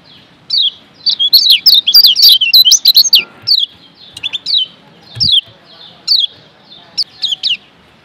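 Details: Yellow kecial of Lombok, a white-eye, singing a training song for caged birds: a fast jumble of high twittering downslurred notes that fades into spaced single chirps and short clusters, with a faint knock midway.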